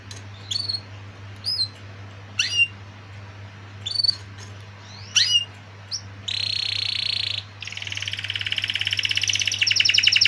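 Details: Canary giving scattered short high chirps and sharp upward notes over a steady low hum, then breaking into a flat sustained buzzy tone and a fast, rising, rattling trill.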